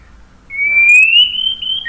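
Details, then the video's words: White-rumped shama, played to make other birds sing, giving one long, pure whistle that climbs slowly and steadily in pitch for over a second, ending with a short lower note. "KICAUAN MURAI BATU bikin NYAUT ikut BUNYI GACOR NGEPLONG BONGKAR ISIAN ¦ PANCINGAN MURAI"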